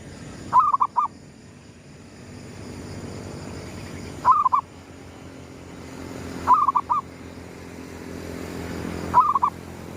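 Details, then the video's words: Gedong mengo zebra dove calling as the sun rises, used as a lure sound: four quick rolling coo phrases of three to four notes, repeated about every two and a half seconds, with steady low rumble behind. "suara pikat perkutut gedong mengo,manggungnya pas menyongsong mentari terbit"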